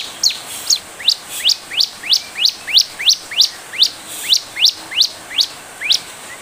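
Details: A bar-winged prinia (ciblek) sings, in a recording used as a lure to provoke responses, a fast run of sharp, upslurred chirps, about three each second, high-pitched and evenly repeated over faint background hiss.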